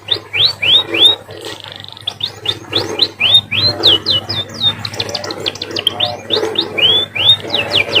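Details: Munia song resembling a canary: rapid high arching chirps, a brief pause, then a faster flurry of sharp downward notes, over steady low background hum.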